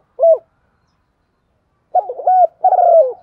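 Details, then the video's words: Calling female spotted dove, used to set male doves cooing; one short low coo, a long silence, then a rolling two-part phrase of mellow, slightly descending coos. "Tiếng chim cu gáy MÁI dùng kích chim trống rất xiêng gáy"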